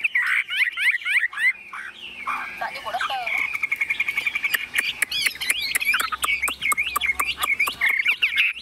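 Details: Tame hand-carried Chinese hwamei singing in its shaken cage: loud looping whistles, a jumble of sharp clicks and mixed notes, then quick repeated dipping whistled phrases over a steady buzzy trill.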